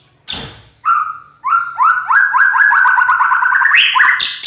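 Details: White-rumped shama singing a loud, harsh song: a rapid series of repeated descending notes with rising pitch steps, about three per second, opening with a sharp burst and ending in high buzzy notes.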